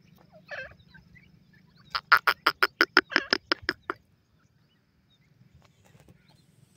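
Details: Grey francolin, locally called Dakhni Silver Teetar or Bangi Teetar, singing in the wild: a soft opening note, then a rapid run of about twelve loud, evenly spaced harsh notes over two seconds, then quiet with faint low rumble.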